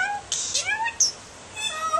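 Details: Hand-raised pet myna mimicking its trainer: a short burst of harsh, hissing noise, then a bright whistled squeak and gliding speech-like tones, indoors.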